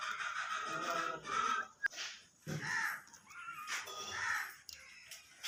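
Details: A parrot talking in Urdu/Hindi, producing voice-like harmonic syllables in short bursts with pauses between, a brief click midway, and faint music in the background.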